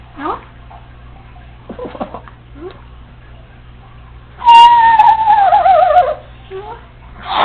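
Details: Female Congo African Grey parrot, home alone indoors, practising household sounds and bird calls it has learned; short chirps, then a loud, long whistled tone gliding slowly downward for over a second, with a low steady hum underneath.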